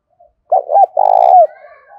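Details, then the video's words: Decoy spotted dove, 'thổ sấm' voice style, luring wild doves: a faint soft note, then a broken two-part coo and a long throbbing coo ending in a downward slur, with a soft trailing murmur. "tieng cu gay kich boi nhanh noi gù hiệu quả"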